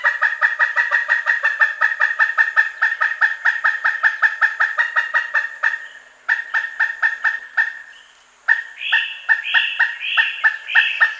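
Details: Pileated woodpecker giving long series of sharp kuk-kuk-kuk calls, about five notes a second, with brief pauses between series. Toward the end the notes turn higher-pitched and more strident.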